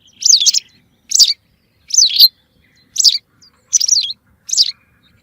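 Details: White wagtail call used as a hunting lure: six sharp, high chirps with a wavering, looping pitch, spaced about every second, on a silent background.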